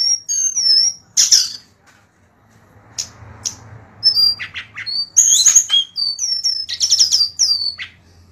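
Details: Golden-bellied gerygone tutor song: sets of high, sweet, sliding whistles broken by a pause of near silence and faint rustle, then resuming with quick chips and descending whistled notes over a low hum.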